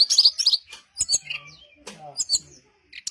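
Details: Brown-chested jungle flycatcher singing as a lure so others of its kind respond: loud high chirps at the start, then spaced clusters of short whistled and buzzy notes.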